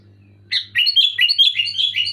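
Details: Energetic sooty-headed bulbul song: a continuous, loud, fluty warble of rapid rising and falling notes lasting over a second, with a low background hum.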